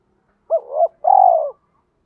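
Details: Spotted dove calling to incite a fight: a soft two-part coo, a quick rising note into a wavering tone, then a longer pulsing rolled coo, low and mellow against silence.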